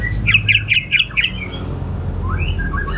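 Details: Orange-headed thrush, sung 'gacor teler' style: five or six harsh, squawky notes repeated in quick succession, followed by quieter thin whistles, with a low background hum.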